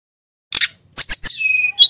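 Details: Sulingan from the Merapi mountain area, whose song serves to lure other birds: a burst of high chips, then a thin whistled note sliding down and a short rising whistle at the end.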